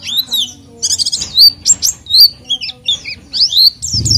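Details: Oriental white-eye in full song, played as a lure to draw out an untrained white-eye: separate bursts of high, sharp, upward- and downward-sliding whistles with short gaps between phrases.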